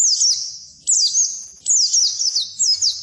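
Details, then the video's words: High-pitched Oriental white-eye song meant to coax silent birds into singing: three bright whistled phrases, each opening with a sharp upslur and falling in wavy notes. "Suara Burung Pleci Masteran Pleci Full"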